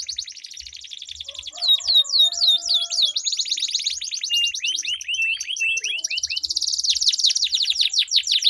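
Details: Canary singing in a duel with long rolling song, aimed at getting other canaries to sing: soft rapid trills building into loud swooping whistles, a descending series of notes, then a long dense buzzing roll.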